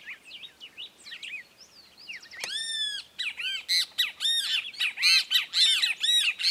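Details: Red-crested cardinal in Esperanza, Santa Fe, Argentina, 2022, feeding on sunflower seeds while perched on the stalk: faint thin notes, then a loud harsh arched squawk followed by rapid, irregular, chattering harsh notes.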